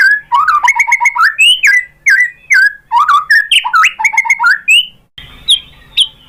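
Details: White-rumped shama singing to make other shamas respond: energetic, rhythmic phrases of chattered and swooping whistles repeated in quick bursts, closing with two higher, isolated notes.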